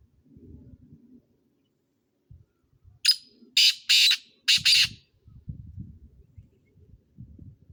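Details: Black francolin giving a burst of four loud, rasping, broadband notes in close rhythm, set between stretches of faint low rumbling background noise.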